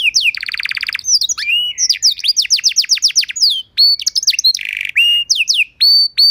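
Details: Master song of a canary, meant to teach and trigger singing in other canaries: a dense buzzy trill, quick descending whistles, a harsh rolling burst, and clear upslurred notes spaced near the end.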